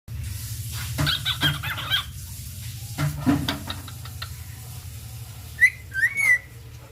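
A cockatiel gives a few clear, bouncy whistles over a steady low hum and some knocking.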